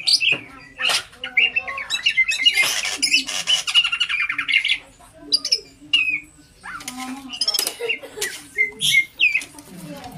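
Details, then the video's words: Caged greater green leafbird, a champion songbird, delivering a dense, rapid medley of high chirps, trills and squeaky whistled notes with scattered harsher squawks, continuous and varied throughout. "Masteran Cucak Ijo Full Isian Burung Juara"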